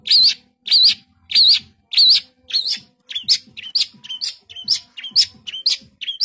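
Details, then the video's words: Long-tailed shrike in energetic "tembakan rapat" rapid-fire singing: loud, sharp, wavering whistled notes repeated about twice a second. Four matching notes come first, then a run of shorter, twisting notes with varied shapes. "Cendet GACOR full tembakan rapat"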